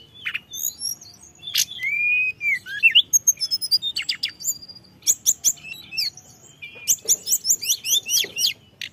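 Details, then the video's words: Blood-breasted flowerpecker lure song: a few sharp high notes and a short whistled phrase, then rapid clusters of thin descending chirps repeated in quick bursts. "pancingan tledekan gunung full isian"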